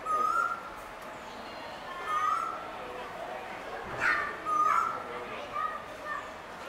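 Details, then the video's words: Male Asian koel giving a series of short rising whistles that swoop upward. A fainter, broken call follows among faint background murmur and hiss. "ASIAN koel male call"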